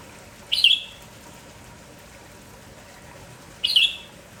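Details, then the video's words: Spirited red-whiskered bulbul of the village type, singing actively in the morning: a pair of loud, quick warbled phrases roughly three seconds apart, each bright and slightly burry, with soft steady hiss between them. "MERBAH JAMBUL KAMPONG GALAK TAK HENTI BERBUNYI"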